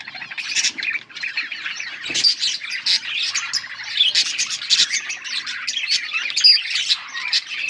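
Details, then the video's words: Bright yellow budgies chatter nonstop in a 21 August 2024 recording: layered warbles, clicks and squeaky chirps, several birds calling at once. "Beautiful yellow budgies chirping sounds"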